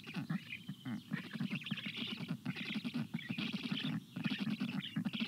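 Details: Hot June day, 25 June 2022: black stork storklets in the nest call for water while a parent delivers a shower. Stuttering, buzzy throbs repeat quickly beneath a rougher hissing layer, broken by brief silences.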